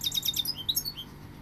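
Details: Goldfinch singing a fast, bright twitter of high, tinkling notes with quick upward-sweeping chirps, about five in the first half-second, then thinner trills, over a faint steady low hum.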